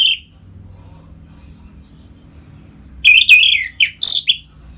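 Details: Orange-headed thrush (Anis Merah) 'ngeplong' song used to stimulate captive birds into breeding condition: a brief whistle at the start, then after a pause a burst of rich, varied warbled notes lasting about a second and a half.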